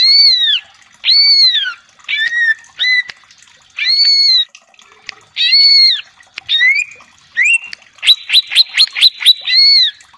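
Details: Greater green leafbird kept as a cage bird, repeating arched, downslurred whistles every second or so, then closing with a fast run of sharp stuttering chips over a steady whistle.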